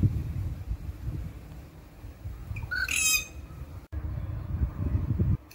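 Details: Rufous treepie (Indian treepie) giving a single short, grating squawk midway, against heavy low-pitched background noise and handling rumble.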